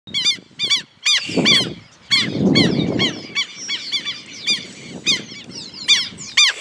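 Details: Southern lapwing pair attacking a person filming them: loud harsh repeated calls with a strong harmonic stack, given in bursts about every half second, with bursts of low rumbling wind or handling noise between calls.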